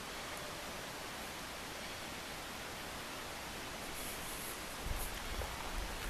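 Steady broadband hiss like rushing water or rain throughout, with no animal calls heard.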